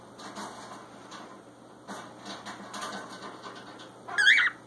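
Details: Cockatiel (Nymphicus hollandicus), one of two pet birds being mischievous, gives a single short, shrill, wavering squawk after several seconds of quiet indoor background noise.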